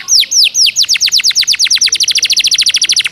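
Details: Canary with Java sparrow fill-in song, fast and packed: three slow arching whistles, then falling notes that quicken into a rapid, even, ringing series.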